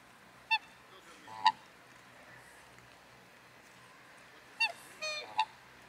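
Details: A pair of black swans at Fagaras fortress; several short, nasal, bugling calls with harmonic overtones, two near the start and three more around the fifth second, over a quiet background.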